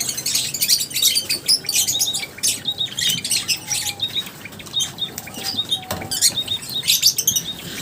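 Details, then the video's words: Lovebirds giving bursts of sharp, high chirps and squawks in quick clusters with brief gaps between, some flutter-like rustling, and a faint thin tone. "Love birds Singing sounds | Chirping Sounds | 30 mins lovebirds sounds | lovebirds meeting sounds"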